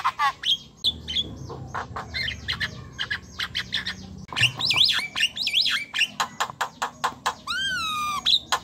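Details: Javan myna chattering for luring quiet mynas into song: a fast series of raspy squawks and chirps, zigzag whistles, then a long falling harmonic whistle.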